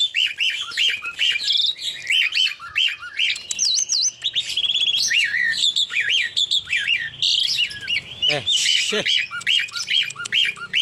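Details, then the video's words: Tame Javan pied starling from Palembang, singing actively: a fast, varied stream of whistled, rising and falling notes mixed with chattering, scratchy chirps, nearly continuous for about eleven seconds with brief pauses and a few low thumps. "JALAK SUREN GACOORR JINAK"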